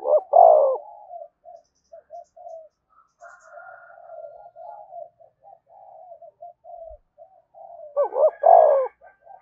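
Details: Spotted dove calling to prompt other doves to coo: a strong throaty coo opens, then a long stretch of soft, broken, low cooing with a faint higher overlapping voice, and another loud wavering coo near the end.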